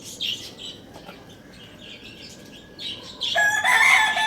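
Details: Lohmann Brown rooster crowing loudly in the morning at Lalukhet bird market: after scattered high chirps from other caged birds, a loud harmonic crow bursts in during the final second and is still rising at the end.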